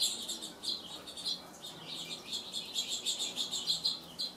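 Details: A Gila woodpecker (Melanerpes uropygialis) calls a run of short, scratchy, high notes, about three to four a second, quickening toward the end, with nothing else heard.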